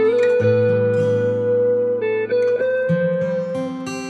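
Plucked guitar music with sliding, sustained notes and a repeated low bass figure, with no animal voices.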